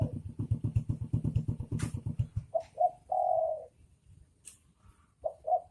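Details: Spotted dove song from a male and female pair: after a stretch of pulsing low throbbing noise, a clear phrase of two short coos and a long steady coo, then the start of another phrase.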